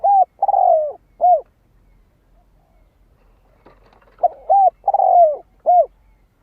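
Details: Spotted dove in full song meant to excite decoy birds: two phrases of short arched coos, each holding one longer descending note, separated by a silent gap of about two and a half seconds.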